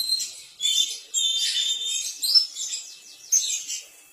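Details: Oriental magpie-robin (kacer) song played to make other magpie-robins answer: dense bursts of bright, scratchy high notes with sweeping whistles, delivered in phrases separated by short gaps.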